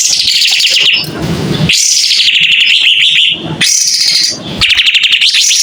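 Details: A white-rumped shama singing steadily while showing off its tail, in a clear voice: long high phrases of fast, rhythmic, repeated whistled notes, interrupted twice by brief low rustling noise, ending in rapid pulsed chirps.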